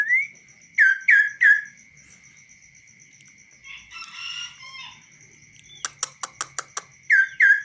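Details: Kaso-kaso bird kept tame and singing on a hand without a cage: a rising whistle, three fast downslurred whistles, a rustle of scratchy sounds, a series of sharp clicks, then two more slurred whistles.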